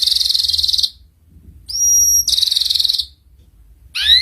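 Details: Canary master song for juvenile canaries learning ngeriwik: bursts of high buzzy trill separated by silence, with a sustained pure whistle and a final cluster of falling sweeps.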